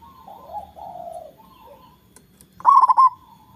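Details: Local zebra dove with a large voice, used to lure rivals into calling: soft, low, drawn-out coos at first, then one loud burst of rapid, stuttering cooing notes near the end.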